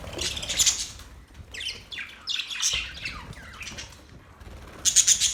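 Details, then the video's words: Australian budgerigars chirping: scratchy high squawks open, followed by several quick descending chirps in the middle and a dense buzzy chatter burst near the end. "Beautiful Australian birds chirping sounds Beautiful Australian Budgies birds talking"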